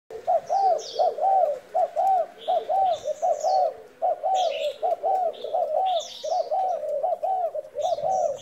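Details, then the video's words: Spotted dove used as a decoy bird, cooing in a trial session: rounded mid-pitched coo notes repeated quickly and steadily, with thin higher chirps from other birds above. "Mồi trần thái gù thử"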